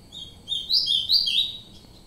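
An ultramarine grosbeak sings one sweet, warbled phrase of slurred high notes lasting about a second, over a faint low hiss.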